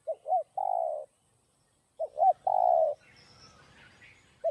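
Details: Spotted dove song in the thúc gù style for exciting decoy birds. Two phrases a second apart: two short arched notes, then a long coo. Faint chirping from other birds follows, and a third phrase begins at the end.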